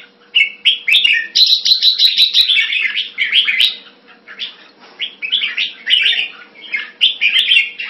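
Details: Red-whiskered bulbul kept caged in Singapore in Thai style, 14 February 2018, singing a quick rattling series of bright chirps, then looser, slurred warbling phrases with short gaps, over a low steady hum.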